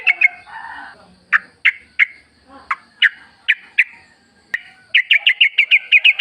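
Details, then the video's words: Yellow-vented bulbul singing in the wild, recorded as a lure to make caged birds answer: a run of loud, clipped chirps, then a fast rattling series of bright notes toward the end, with faint background hum. "trucuk gacor ngalas full suara alam ampuh buat pancingan agar bunyi jadikan trucukmu gacor nyaut"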